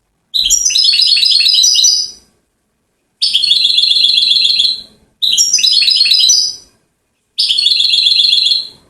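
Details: European goldfinch from Settat, Morocco, hailed as a king of singers, producing four bursts of rapid bright twittering and rattling trills, each about two seconds long, with silent gaps between.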